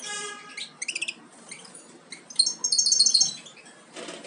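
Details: European goldfinch fledglings nearly ready to leave the nest, a Major carrier crossed with Parva Ancestral: high thin chirps in quick irregular bursts, a brief tonal buzzy note at the start, then a dense cluster of sharp high twitters.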